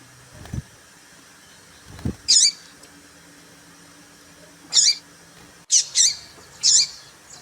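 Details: Female papa-capim seedeater calling to excite males. Two dull thumps are followed by sharp high chirps, singly and then in a quick run of three, over a faint steady hum.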